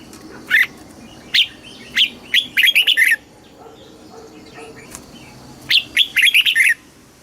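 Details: Thai red-whiskered bulbul in southern master-style song for caged birds. Spaced single whistles build into a quick chattering phrase, then a pause and another bubbly burst.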